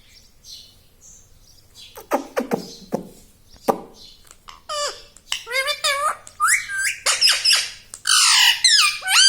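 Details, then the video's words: Pet talking parrot indoors, chattering words such as "Mummy" and "Papa": quiet opening, then a run of sharp squawk-like syllables followed by bending, voice-like tones and a loud harsh burst at the end. "Talking Parrot || Mummy Mummy"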